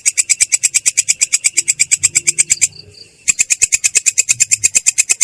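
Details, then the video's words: Long-tailed shrike in rolling song, with a voice described as clear yet harsh: a rapid, steady train of raspy, buzzy notes, broken by one short pause midway before the fast series resumes. "belalang kecek ngerol!!! suara jernih kasar"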